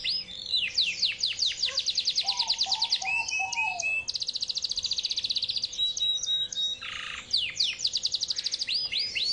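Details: A Yorkshire canary delivers a long ngawet-style song, seeking a rival. Fast, even trills of sharp repeated notes alternate with lower warbled phrases, a thin whistle and buzzy rolls, continuing without a break.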